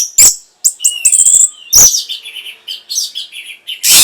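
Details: Orange-headed thrush song used as a lure to stimulate breeding arousal and prompt replies: sharp high chirps, thin whistles and a falling whistle, broken by loud harsh bursts at the start and end.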